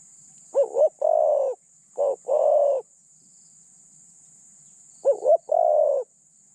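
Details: Spotted dove kept as a decoy to lure wild doves, its voice described as mid-pitched with light phrasing; three cooing phrases, each a quick wavering double note followed by one long steady hollow coo, in quiet surroundings.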